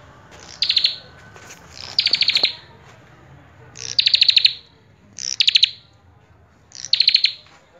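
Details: Common tailorbird in repeated song phrases: five bursts of quick, piercing high notes, each about half a second long, separated by pauses of roughly one to two seconds, with low background hum.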